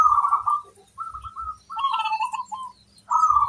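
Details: Local zebra dove song meant to prompt other zebra doves to answer: a series of short purring, stuttered coos in quick succession, with low thumping knocks underneath and faint higher chirps.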